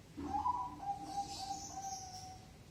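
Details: Zebra dove singing actively, its cooing song counted in five, six or seven beats; soft, low, hollow coo notes run together over about two seconds and fade toward the end, with a faint high chirping band above.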